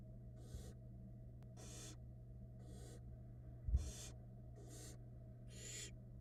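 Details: Barn owl nestlings being fed by the female at a Florida nest camera: six harsh, breathy hissing bursts, about one per second, over a steady low electrical hum.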